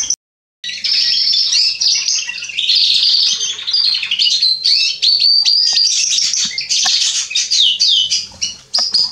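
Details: Male Atlantic canary singing, recorded 27 October 2020: after a brief silence, a continuous, rapid, high twittering song of buzzy trills, chirps and sharp whistled notes that barely pauses, with a faint steady low hum underneath.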